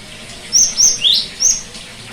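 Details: Cinereous tit song aimed at getting a silent bird to sing: four notes, high level whistles around a lower rising sweep, crisp and evenly paced with light hiss behind.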